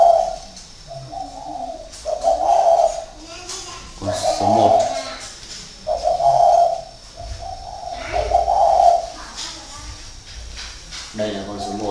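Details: Caged spotted dove decoys in northern Vietnam, 2019, one calling from a high perch: low hollow coo phrases about every two seconds, mixed with a man talking in between.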